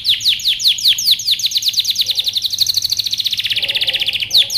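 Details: Canary training song: a loud, fast rolling trill of repeated sharp notes, about ten per second, sliding smoothly downward and back, then a quicker buzzy roll before the pace returns to the opening notes.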